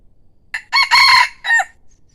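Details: Decoy rooster crowing, praised for a beautiful, pleasing crow: a single harsh multi-part crow with a short lead-in, a loud sustained middle and a falling final note, lasting about one second.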